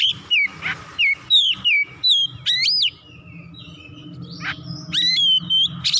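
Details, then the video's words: Agitated oriental magpie-robin (kacer) unloading its full repertoire: a string of loud, clear whistles that slur up and down, delivered in rapid repeated notes, then a brief quiet stretch and more sweeping whistled phrases. "KACER GACOR MEMANAS NAIK EMOSI BONGKAR ISIAN"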